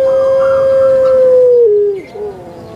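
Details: Puter pelung Barbary dove, kept as a pet in Indonesia, holding one loud, drawn-out cooing note that slides gradually lower, then drops in two steps before fading.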